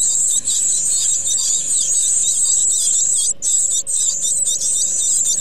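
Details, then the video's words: Great tit chicks being fed by their parents: a continuous, very high-pitched hissing and squealing chorus of begging that breaks off briefly twice, with a faint low hum beneath. "Karmienie sikorek 44 PARUS MAJOR"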